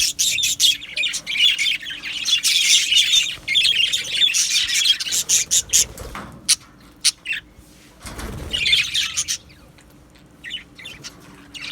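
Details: Aviary flock of Australian budgies, 12 July 2025, chattering in busy bursts of high chirps and warbles, easing to scattered single chirps midway before a short final burst, with some low knocks.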